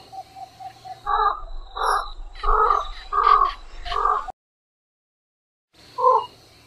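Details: Javan pond heron uttering a run of five rough, nasal croaks in quick succession, then a short break and one more croak, over a low background rumble.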